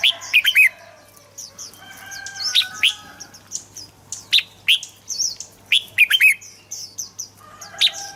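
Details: Red-whiskered bulbul song used to get birds singing: busy, repeated phrases of bright warbled whistles with high chirping notes in between, several birds possibly overlapping, nearly continuous throughout.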